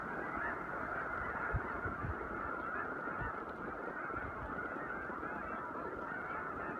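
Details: Snow geese massed on spring migration at Choteau, Montana, in mid-March 2015, giving a steady wall of countless high, nasal honks that blur into one continuous din, with scattered low bumps.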